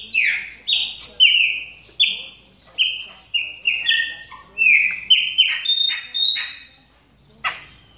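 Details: Chopi blackbirds, warming up in song while in moult, give loud, clear whistled notes that slur downward, some with sharp buzzy starts, about once a second.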